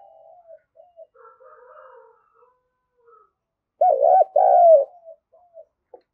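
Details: Spotted dove coo aimed at rousing a decoy dove: quiet far-off coos at the start, then a loud nearby rolling coo and a long sliding coo, ending with short soft notes.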